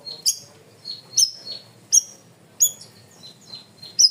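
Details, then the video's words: Loud, clear cream-vented bulbul, known as cucak rawis, recorded as masteran: high piercing whistles alternating with softer chirps, the strong notes coming roughly every two-thirds of a second. "MASTERAN BURUNG CUCAK RAWIS/BAYEMAN GACOR SUARA KERAS DAN JERNIH"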